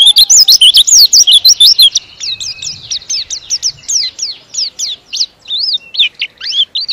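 A white-eye sings a fast, dense stream of high, thin twittering notes, loud at first and then softer, with quick rising and falling slurs.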